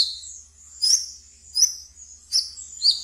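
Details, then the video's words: Ngeriwik song from a pet brown-throated sunbird, offered as a lure for young birds: four high buzzy bursts spaced about 0.7 seconds apart over a sustained high thin tone. "Wiceh Ngeriwik Yang Asyik Untuk Di Pelihara dan bisa untuk Pancingan Terapi Bahan kolibri kelapa"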